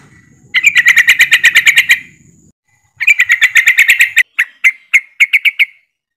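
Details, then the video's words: A group of yellow-vented bulbuls in ropelan style, used to coax other birds into song. Two bursts of dense, evenly spaced bright chirps, the second trailing off into separate bubbly notes, with a low hum early on. "TRUCUKAN ombyokan,TRUCUKAN ROPELAN untuk bahan cepat bunyi"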